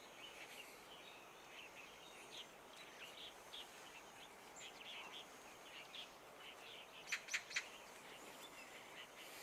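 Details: Daurian redstart perched close during winter migration at Long Valley, Hong Kong: three sharp, clicking notes in quick succession stand out late on, over a steady wash of faint high chirping from other birds or insects.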